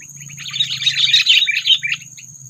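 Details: Sooty-headed bulbul trapping lure meant to provoke predators: a dense, excited run of jumbled chirping notes over a steady low hum.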